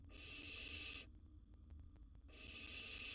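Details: Wild owlet barn owl at the nest with prey, a gerbil: two loud, breathy, hissing screeches about a second long separated by a short quiet gap.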